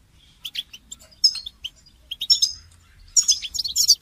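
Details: A goldfinch sings, used as training song for songbirds. Scattered chips open into tinkling, liquid phrases that build to a dense, high twitter near the end.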